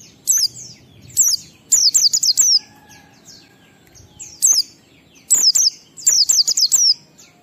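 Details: Ngalas song of an Oriental white-eye in 12345-beat form, a lure for training white-eyes to sing. Single high falling chirps and rapid runs of four to five notes, bright and piercing, over faint chatter.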